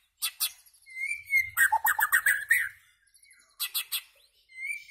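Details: White-rumped shama song: crisp chirps, a drawn-out whistle, a rapid rolling sequence of mid-pitched warbles, then another cluster of chirps and a closing whistle.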